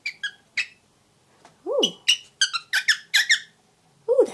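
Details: Young grey cockatiel, seven months old and aviary raised, chattering indoors while first learning to talk; clicks and short squeaky notes, a swooping lower warble, then a quick run of bright chirps, with a woman speaking to it.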